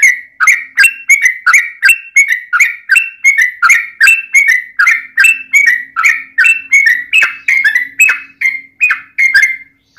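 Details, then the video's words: Yellow-vented bulbul singing in a long, lively, fighting style meant to provoke other bulbuls into song. Bubbly, slurred chirps follow in a fast, uneven stream, about three notes a second, with no pauses. "trucukan gacor TARUNG ROPEL PANJANG pancingan trucukan agar bunyi"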